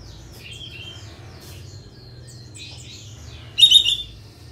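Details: Sooty-headed bulbul, kapas tembak style, singing as a provoking lure; a long run of soft twittering notes ending in one loud short rapid trill.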